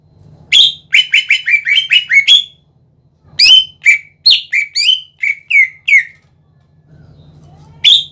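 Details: Greater green leafbird (cucak ijo gacor) singing to draw answers from other leafbirds: a fast run of about eight buzzy notes, then a sequence of looser whistled slurs falling in pitch, ending with a loud note after a quiet hum.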